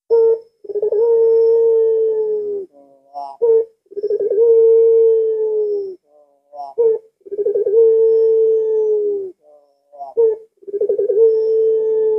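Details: Puter pelung dove recorded at midnight on a Thursday night, valued as a lure to stir other doves: four cycles of stuttering lead-in, long level coo and short clipped note, repeated about every three seconds.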